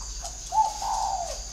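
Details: Whistle-voiced spotted dove used as a perched decoy, uttering a faint introductory note and then one long, smooth, slightly rising-then-falling coo over constant background hiss.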